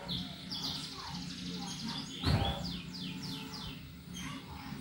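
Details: Canary performing 'gacor' and 'ngetik' song meant to get other birds singing: high buzzy trills and descending slurred notes, broken by a single sharp click midway, over a continuous low drone.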